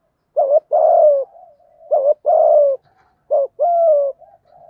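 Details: Spotted dove, male and female cooing used to lure wild birds for trapping: low mellow coos around a steady pitch, a short note followed by a longer drawn-out coo, repeated in three phrases about every 1.4 seconds, quiet background.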